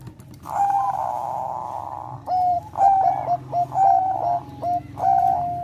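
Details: Bangkok-type zebra dove, melodious song played to stimulate breeding condition: one long, steady rolling coo, then a run of short, clipped, mellow notes separated by brief gaps, over faint low hum.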